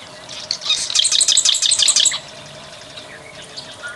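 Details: Plain prinia singing very actively: a rapid, dense burst of high, buzzy chirped notes running for about a second and a half, then only faint scattered chirps against a steady low hum.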